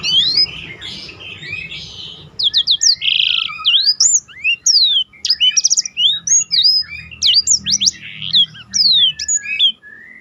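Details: Black-throated canary singing its prized roll song for contest-bird training: opening buzzy warble, then a dense fast string of sharp whistled slurs, short trills and a brief buzzy note, with low background hum.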